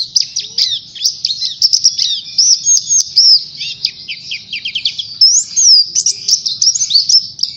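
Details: Pleci, the Oriental white-eye, singing as a lure for other kept birds: high, rapid, jumbled chirping with short downward flicks and a couple of clearer rising-falling whistles, over a soft low background rumble.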